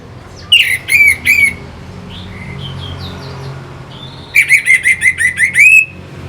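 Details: Lure song of an orange-headed thrush meant to excite fighter birds: three loud, harsh, strongly sliding notes, a few faint whistles, then a fast run of about eight similar rasping notes.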